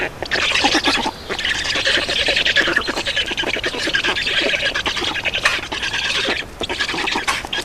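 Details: Feeding at a black stork nest in Estonia, 31 May 2019, late morning: sustained hoarse squawking with fast rasping pulses, nearly continuous with a few short breaks.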